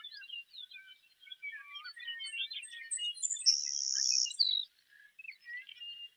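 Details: Savannah Sparrow song in lush Montana grassland, grasshopper-like: thin, high ticking introductory notes lead into a long, hissing insect-like buzz and a lower closing buzz, with other birds chirping around it.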